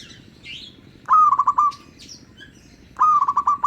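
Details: Local zebra dove cooing, recorded for luring other zebra doves: two phrases of quick, mellow, stuttering notes, with thin higher chirps from other birds in the pauses between them.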